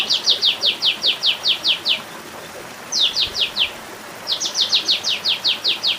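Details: Olive-winged bulbul calling in three bursts of rapid, high, downward-sweeping chirps, separated by short pauses, against a quiet background.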